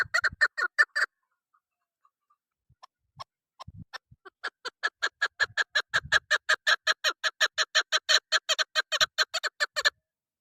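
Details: Female chukar partridge lure call for hunting: a short burst of harsh chuk notes, a near-silent pause with scattered soft notes, then a long, accelerating series of loud clucking notes.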